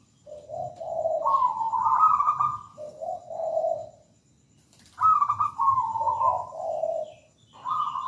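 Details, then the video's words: Zebra dove singing actively: low purring coos rising to higher vibrating notes, then dropping again, in two phrases separated by a short silence. "PERKUTUT GACOR MERDU MEWAH"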